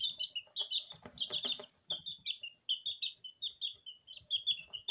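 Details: High, piercing peeps from a group of two-week-old Porcelain and Lemon Sablepoot bantam chicks kept in a kitchen, chirping steadily while bathing in feed, with brief scratchy rustling among the calls.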